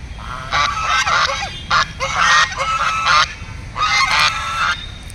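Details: Duck calling in four harsh, nasal bursts of about half a second each, separated by short pauses, over a steady low background hiss.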